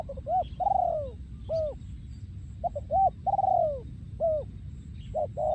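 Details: Breeding male spotted dove, yon khu ang style song: repeated phrases of short upslurred notes and a long, descending, throaty coo, about every two to three seconds, with faint chirps from other birds in the background.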